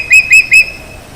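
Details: Changeable Hawk-Eagle marking its territory by calling; after calling for a long time it tired and took longer breaks between calls. Three loud, high whistled notes, each with a brief upward lift then a level tone, spaced about a fifth of a second apart.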